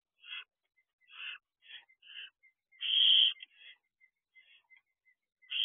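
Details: Young barn owls outside their owl box at 3 am; a string of short, soft, broken raspy notes and faint chirps, then one loud harsh hiss midway and another starting at the end.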